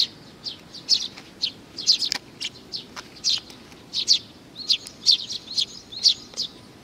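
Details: Several sparrows arriving for food on 15 May 2019, giving bright, high, clipped chirps about once a second in an uneven, overlapping stream.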